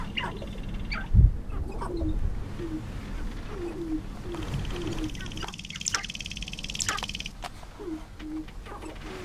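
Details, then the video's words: Breeding male sharp-tailed grouse on the lek at first light, a cold, wet April morning, Arrowwood National Wildlife Refuge, North Dakota; low cooing notes in series, a thump, then a burst of rapid rattling with squeaky clucks. "Sharp-tailed Grouse Lek"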